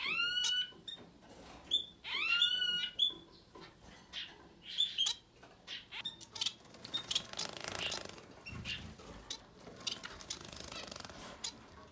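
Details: Society finch family with chicks up to ten days old: clear arched whistled calls in a quick series at the start, then soft high raspy begging calls and rustling.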